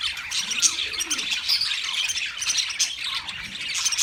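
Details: Wild budgerigars chirping: a dense, continuous flock chatter of high, quick, scratchy warbles and tweets overlapping throughout, with no pauses and no other clear sounds.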